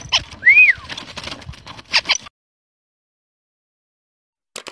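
White-browed crake: harsh, scratchy chattering notes around one clear whistled note that rises and falls, then a pause and a final brief burst.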